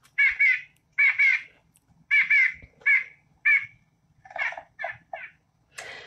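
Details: White-breasted nuthatch (Sitta carolinensis) giving its tinny, nasal 'yank, yank' call, often in pairs about once a second, then a quicker run of similar notes at the end; this example is described as a little faster.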